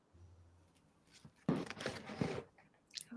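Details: Soft chewing and crunching sounds in a small room, with a brief burst of broadband noise in the middle and no animal calls.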